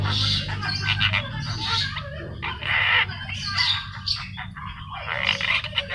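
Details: Newly bought black-winged myna kept in a cage at home, singing in a busy chattering style: harsh squawks, rasping notes and warbled phrases in loud overlapping bursts, over a steady low hum.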